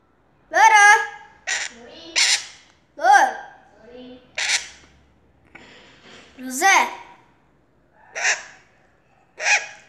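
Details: Pet parrot chattering in a string of quick, voice-like syllables, harmonic and nasal with harsher squawky bits, nine or ten short bursts over several seconds in a quiet indoor setting.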